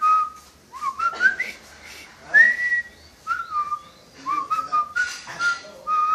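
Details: Pet parrot indoors, said to wolf whistle and whistle a marching tune, gives a series of clear whistled notes, some rising and some level, in short phrases with brief gaps and soft clicks between.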